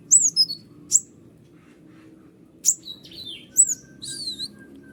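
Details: Van Hasselt's sunbird, white-winged 'konin' form, whose tutor song is said to make other singing birds respond: clusters of piercing, high, down-slurred whistles and sharp ticks separated by brief silences.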